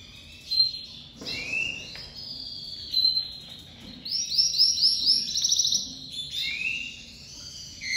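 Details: Loud song from a crested domestic canary, lavandeira type, emerging from moult; high sliding whistles lead into a fast rolling trill of repeated notes, then more drawn-out whistled phrases, all very high-pitched.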